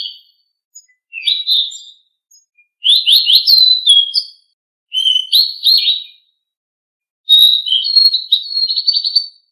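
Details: Blue-winged leafbird song played to encourage kept leafbirds to sing: three long bouts of fast, rising, slurred whistles and trills, each about one and a half seconds, separated by short silences.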